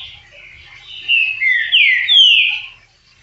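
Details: Green-winged saltator, called trinca-ferro verdadeiro: a short, loud whistled phrase of several slurred notes, dipping then rising sharply to a bright high ending, after a faint quiet lead-in.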